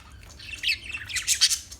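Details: Parakeet making brief, rising, squeaky chirps that grow louder toward the end of a very short burst.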